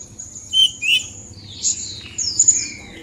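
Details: Oriental magpie-robin song used in training a kept bird. Varied whistles and sweet slurred notes shift between mid and high pitch, with a few louder accented phrases, over a low background rumble.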